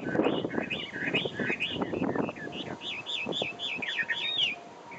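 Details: Chinese hwamei in Taiwan singing a loud, varied series of looping whistled phrases, rising and falling notes repeated in quick sequence, with lower clicking and rustling sounds underneath and faint background music.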